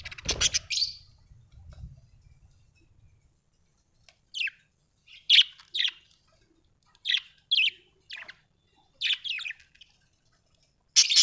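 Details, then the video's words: Contented budgerigar making short, sharp chirps in pairs and singles spaced across the recording, after an opening burst of rustling and noise. "Happy budgie chirping sound"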